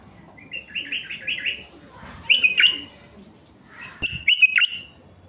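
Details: Mutation male White-eared bulbul used to spark song in wild-caught birds: a rapid run of short rolling whistled notes, then two louder swooping fluty phrases, with a single click near the end.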